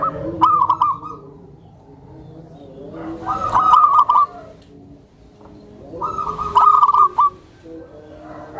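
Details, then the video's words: Soft voice of a tame zebra dove, used to draw out other doves and to settle new birds; three short runs of quick, evenly pitched staccato coos spaced about three seconds apart, with faint background hum. "SUARA PERKUTUT JINAK, LEMBUT, DAN MEMANCING PERKUTUT LAINNYA"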